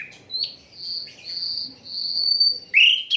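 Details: Asian brown flycatcher in an unedited songbird-tutoring recording: long sustained high thin whistles held for over a second each, ending in a loud sharp rising-falling chirp.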